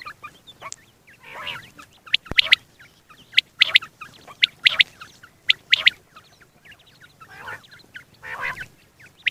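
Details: A single male quail, in a recording made for morning and night hunting, gives sharp, high, clipped notes in quick groups of two or three, repeated about once a second, with faint chirps from other small birds behind.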